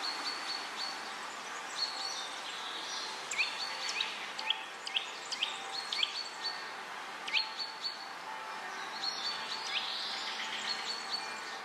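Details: A Eurasian nuthatch (Sitta e. europaea) in Vilnius, Lithuania, in June 2017 gives short, sharp, high notes at irregular intervals over a busy background of other twittering birds.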